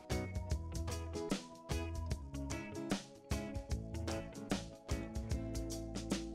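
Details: Rhythmic instrumental music with plucked strings, bass and drum beats, and no animal calls.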